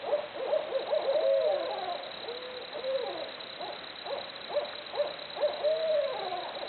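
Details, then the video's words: Barred owls hooting away in a jungle-like din: rapid, repeated clipped hoots mixed with long, arched wailing notes, uneven in rhythm, with a loud burst at the start and another near the end. "Barred Owls Hooting Away Making Jungle Noises."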